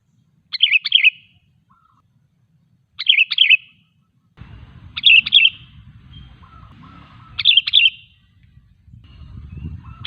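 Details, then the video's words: Sooty-headed bulbul (kutilang) song used to lure other bulbuls into singing: short bubbly phrases of three or four fluty notes, repeated every two to three seconds, with faint low rumble in the background. "Suara Burung KUTILANG GACOR 100% ampuh untuk memancing Kutilang lain agar bunyi"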